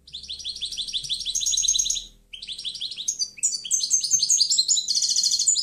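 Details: European goldfinch delivering a continuous clean song meant to teach other birds: fast repeated rising chirps, a short pause, then a tumbling medley of bright twitters and buzzy trilled notes, with a faint low hum early on.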